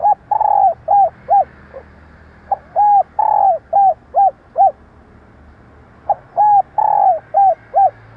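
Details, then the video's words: Spotted dove female calling, a sound used to rouse and train decoy males: three phrases of short hooked coos, each starting with a long drawn coo and followed by several clipped notes, with pauses between phrases. "Kích bổi - tập mồi nhanh nổi Hiệu Quả bằng tiếng chim cu gáy mái / Tiếng cu gáy mái"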